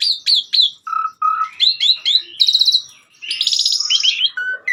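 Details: Asian pied starling in persistent song on a master recording: three sharp downslurred whistles, two low flat whistles, rising bubbly phrases and a buzzy rattle, then a long high rolling trill and quick slurred notes.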